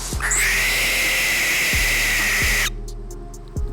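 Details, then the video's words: A barn owl, a nocturnal hunter, gives one long, harsh, hissing scream lasting over two seconds, rising at the start then holding steady; the scream is described as frightening and ghostly, with low thumps and background music. "ഇതിൻറെ നിലവിളി പലപ്പോഴും ഭയപ്പെടുത്തുന്നതും പ്രേതബാധയുള്ളതുമായി തോന്നും"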